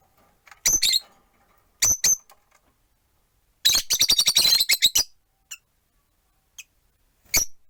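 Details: Pet rosy-faced lovebirds, four of them kept in a window-side cage: paired shrill, scratchy chirps, then a busy burst of rapid harsh chatter lasting over a second, followed by a few soft clicks and one last squawky chirp.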